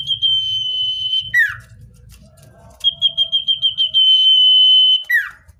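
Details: Common iora natural song for luring wild birds: a drawn-out shrill whistle drops into a descending slur, then a string of pulsing beaded notes builds into another long steady whistle and the same falling ending.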